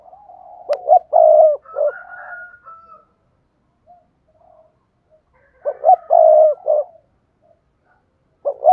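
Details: Spotted dove cooing to stimulate other doves: loud throaty phrases of clipped notes and a held low coo, repeated twice with softer coos between, a faint higher thin tone and a sharp click.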